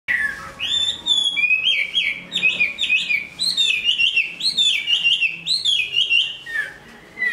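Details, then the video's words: Large-bodied Chinese hwamei, a strong singer and fighter, finishing its new plumage, delivers a loud, continuous run of rich whistled phrases. The notes are rapidly repeated, rising and falling, with quick slurs throughout. "Họa mi bộ to hót tốt đấu tốt"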